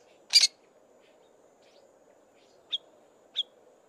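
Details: Male Fork-tailed Drongo giving harsh scratchy song and soft imitations of other birds; one loud raspy burst followed by two short soft chipped notes spaced well apart over near silence.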